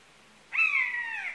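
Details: A single buzzard call: a clear, plaintive mew that starts high and glides steadily lower, held for nearly a second against a quiet background.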